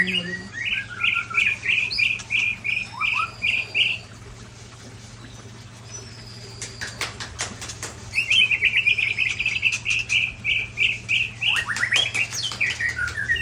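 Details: Large-bodied white-rumped shama from Ujong Pancu, Aceh, singing: rapid runs of repeated whistled notes near the same pitch, several bursts with pauses, broken by sharp clicking or rattling sounds, steady low hum in background.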